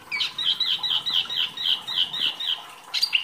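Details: Small wambi songbird kept by bird-song hobbyists, in full active song used as masteran training material: a rapid run of bright, high, clipped notes, about four per second, ending in a sharper upward flourish.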